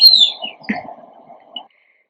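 Oriental Magpie-Robin song: a bright, slurred falling whistle, then two or three short clear notes over about one and a half seconds, with a steady low hum behind.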